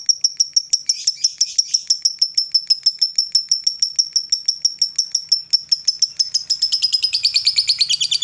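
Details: Female fighter lovebird's long ngekek, used to stir rival lovebirds: a continuous rattle of piercing, evenly spaced high notes that grows harsher and fuller toward the end.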